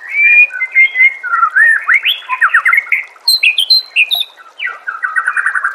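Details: Master song played to make a white-rumped shama respond and sing: a fast, varied run of clear whistles, rising and falling slurs and short trills, ending in rapid repeated chips and a buzzy rattle.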